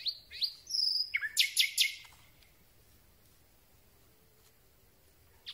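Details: Night song of a Common Nightingale taken from very close: sharp high whistles and rising notes lead into a fast series of loud clicking strokes, followed by several seconds of near silence.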